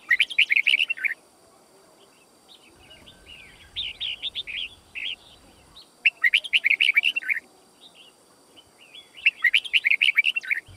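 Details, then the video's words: Fighting song of a white-cheeked Red-whiskered bulbul, played for song training: dense bursts of quick, sweet, warbling notes about every three seconds, each burst around a second long, with quieter scattered notes between and faint background hiss. "Chào Mào Hót Đấu"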